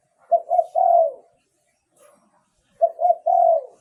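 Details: Two phrases from a spotted dove's decoy song for attracting wild doves, each two quick soft notes leading into a long, slightly wavering coo that drops off at the end, separated by a quiet gap.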